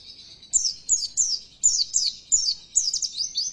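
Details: Oriental white-eye lure song used to provoke a kept bird into loud, persistent singing: high, thin descending whistled phrases repeated roughly every third of a second in seven bursts, on a quiet background.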